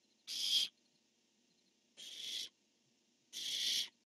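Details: Three raspy, hissing barn owl screeches in about four seconds, the first loudest, as the male calls and the female answers, dated 10-1-15; a faint steady hum underneath.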